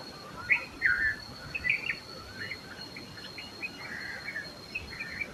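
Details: Red-vented bulbul song as a loose run of short, chirpy, slightly varied phrases spread across several seconds, fairly quiet against a steady high whine and light background hiss.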